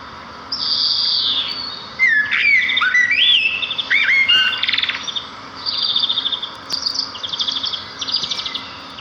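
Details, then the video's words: Sparrows singing in nature: a varied outpouring of quick twisting whistles, chirps and short rapid trills, tumbling together for several seconds over a faint low hum. "صوت العصافير في الطبيعة"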